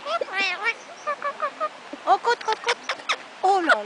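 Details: A pet talking parrot chatters in a stream of short, nasal, speech-like syllables with rising and falling inflections, broken by brief pauses, ending in a drawn-out squawk.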